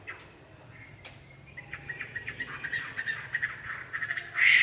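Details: Red-whiskered bulbul giving a fast series of short, repeated mid-pitched notes that build in loudness, ending in a harsh, loud burst; a couple of sharp clicks are heard early on.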